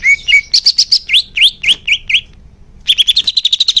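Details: Greater green leafbird singing to encourage caged birds to sing more: a string of rising, upslurred whistled notes repeated about every quarter second, a short silence, then a fast high chattering trill.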